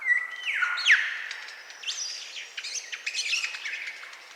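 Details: A Superb Lyrebird, a mimic, in eastern Australia runs through a varied medley of borrowed sounds: whistled notes, a sharp downward sweep, then quick chattering and tinkling phrases, switching every second or so.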